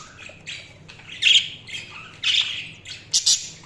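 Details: Budgerigars chirping: short bright squawky chirps and warbles in separate bursts, louder notes near the middle and end, with quiet pauses between.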